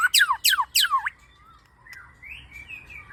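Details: Lure song of a white-rumped shama: three loud, sweeping down-slurred notes in quick succession, followed by quiet, wavering whistles.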